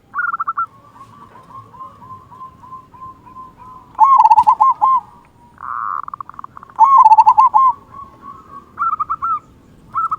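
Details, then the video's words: Local zebra dove with a big 'kung' voice, singing to prompt other doves: soft repeated low coos under louder rolling bursts, with short higher stuttered phrases in between. "Perkutut Lokal Gacor Suara Kung Besar Pancingan Burung Perkutut Agar Bunyi"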